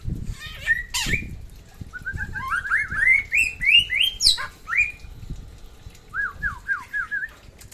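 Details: Samyong from West Nusa Tenggara singing persistently: a rapid ladder of clear rising whistled notes climbing in pitch, a sharp high note, then a softer series of four looping whistles after a pause.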